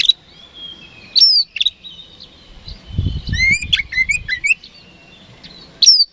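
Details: Oriental magpie-robin (kacer), a contest songbird, in energetic 'gacor' song to draw a response from rivals; sharp whistles and chips, then a busy run of rising slurred notes and trills, ending with a loud whistle.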